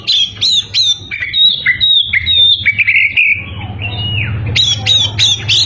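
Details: Oriental magpie-robin in full song, used to goad rivals, pouring out quick varied whistles, downslurred notes and sharp upward flicks, with a continuous low hum beneath.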